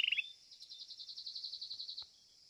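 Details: Domestic Belgian canary competition entry, seventh edition, singing a brief sliding note into a long, even, rolling trill that holds one pitch for about one and a half seconds, then ends abruptly with a soft click.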